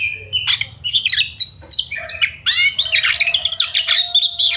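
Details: Oriental magpie-robin in lively full song used as a lure to provoke other birds to fight and sing, a rapid stream of varied whistles, buzzy harsh notes and chattering phrases, mostly high-pitched, with a faint low hum underneath.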